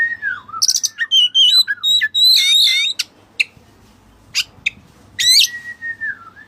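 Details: White-breasted kacer (Oriental magpie-robin) in full, continuous song with cililin phrases worked in: loud, rich whistles sliding up and down, fast chattering notes and sharp clicks, and a long falling whistle at the end.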